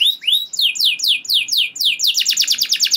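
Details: Canary singing long rolls that provoke other canaries to join in: a series of bright rising swept whistles, each repeated a few times, then a fast, rattling trill of tight high notes.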